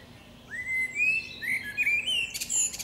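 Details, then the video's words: Female common blackbird singing in a forest: a fluty whistle sliding up to a sustained note, then short warbled phrases ending in a high, thin twitter. "Dźwięk śpiewu kosa. Samica kosa śpiewa. Kos śpiewa w lesie. sounds and singing of the blackbird"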